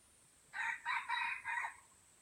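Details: An F1 white-legged Aceh junglefowl crows a quick four-note phrase, hoarse and banded, with short breaks between the notes and a slightly falling final note, over soft background hiss.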